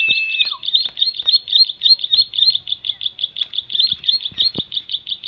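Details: Shrill song of a bar-winged prinia, or ciblek: rapid, regular high chirps repeated several times a second, opening over a brief steady whistle tone.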